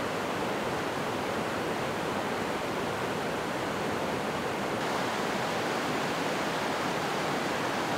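Steady, dense rushing noise like a waterfall or heavy surf fills the whole recording, with no animal calls.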